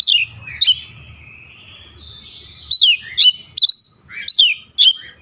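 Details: Oriental magpie-robin singing energetically, its song loaded with imitated Javan myna sounds: a few loud, sharp whistled notes and downward sweeps separated by quiet gaps, with a soft low rumble underneath.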